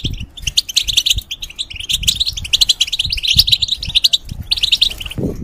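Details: Caged, moulting European goldfinch singing a long, rapid, twittering phrase of bright chirps and trills, briefly pausing before a final burst. A low thud comes near the end.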